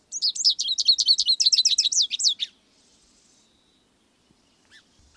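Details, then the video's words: American goldfinch pouring out a fast, high twittering song of looping slurred notes for over two seconds, followed by quiet and a couple of faint chips. "American gold finch"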